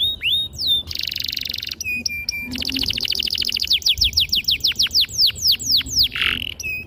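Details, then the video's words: Canary singing long, sharp and clear to stimulate young birds: swooping whistles, a dense buzzy trill, then a rolling series of fast falling notes ending in a harsh burst. "PANCINGAN KENARI GACOR PANJANG || PANCINGAN KENARI PAUD BELAJAR BUNYI || MASTERAN KENARI PAUD"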